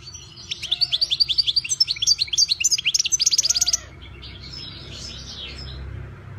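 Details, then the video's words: European goldfinch singing a three-second string of fast, high, rhythmic chirps with liquid twitters, then falling quiet, leaving a low rumbling background hum. "ΚΑΡΔΕΡΙΝΑ ΜΕ ΟΛΗ ΤΗΝ ΣΗΜΑΣΙΑ ΤΗΣ ΛΕΞΗΣ!!! (Carduelis Carduelis)"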